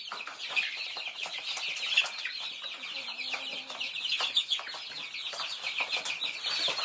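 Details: Many Thai chicks peep continuously while feeding, a thick mass of high chirps over scratching and tapping noises.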